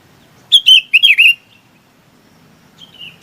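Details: One quick phrase of four or five bright, slurred chirps from a bulbul calling its flock, ending in a drawn-out fading whistle, then a soft later note.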